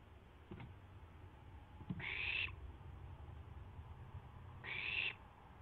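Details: Barn owl owlet testing its wings around midnight on April 12, 2016, from a live camera. Two light taps come first, then two drawn-out, harsh screeching hisses about three seconds apart.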